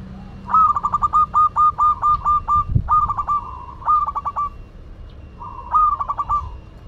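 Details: Local Madura zebra dove in full song: bursts of rapid, staccato mid-pitched cooing notes, eight or nine quick pulses per phrase ending in a held tone, repeated three times with brief pauses; a single low thump midway.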